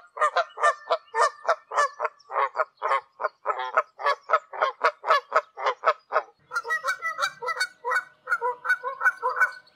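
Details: Wild Canada geese flying high over Canada: a long run of rhythmic, clipped nasal honks at a steady pace, then a denser burst of overlapping calls from several birds.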